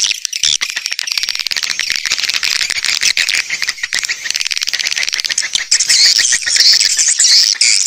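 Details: Swiftlet lure sound: dense, buzzy chattering trains of rapid clicks, high-pitched and continuous, with a few thin whistled notes near the end.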